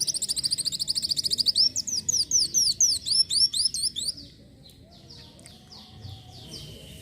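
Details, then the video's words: Van Hasselt's sunbird singing energetically, recorded as tutor song: a dense stream of very high, thin notes turning into rapid slurred sweeps several per second, fading to softer, sparser notes near the end. "masteran burung kolibri wulung (Kowul) gacor isian"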